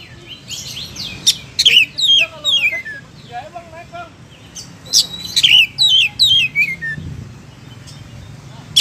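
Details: Oriental magpie-robin (kacer) in full, energetic song: rich descending whistles mixed with sharp clicks and a soft run of lower warbling notes, pausing and resuming with further downslurred phrases.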